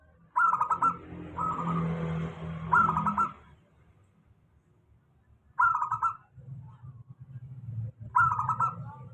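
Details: Local zebra dove with a stable song, played to prompt doves that sing little; short rolling, bubbling cooing phrases repeated every two to three seconds, with a low background hum.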